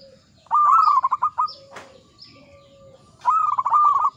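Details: Local zebra dove song in the Mataram ngepat rhythm: long trilled coos made of rapid rolling pulses, repeated after a pause. Between them come a brief rustle or wing flutter and soft low drawn-out tones.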